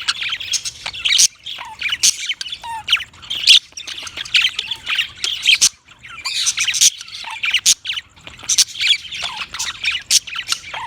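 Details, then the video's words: Budgies chattering at length in grating high squawks, chirps and quick clicks, with a few whistled notes and brief lulls between louder bursts. "Funny Budgies Sounds"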